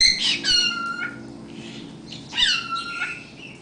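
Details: A pet cockatiel gives bright, harmonic whistled phrases with gliding, falling notes, mimicking sounds it has learned, including speech-like phrases he has been taught.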